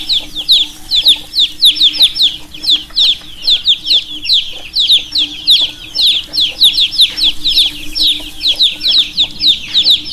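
A brood of chicks peeps nonstop, high thin chirps sliding downward and overlapping several per second, over a faint steady low hum.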